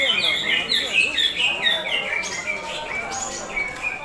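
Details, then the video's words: Sumatran leafbird of the Semar type in champion-style song: a run of clear whistled notes stepping downward, each slurred, followed by softer varied twitters. "CUCAK HIJAU SEMAR NADAKAN JUARA"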